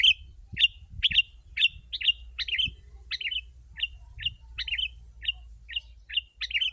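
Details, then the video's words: Sooty-headed bulbul in lively, dense song used as a lure for wild birds: short whistled notes near one pitch, repeated almost twice a second with slight variations, over a faint low hum. "Kutilang si.ladusing super gacor suara rapat menekan burung liar"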